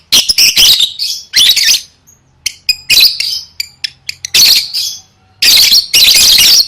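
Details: A lovebird trained for singing contests chatters loudly in long, rasping, high-pitched bursts broken by quick staccato chips and short silent gaps.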